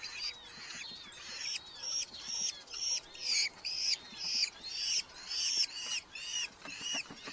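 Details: Red-footed falcons, a nesting family in a large Hungarian colony in July 2025, chicks fed mostly beetles; strident, rasping calls repeat steadily about twice a second, each a short grating burst with a slight downward bend.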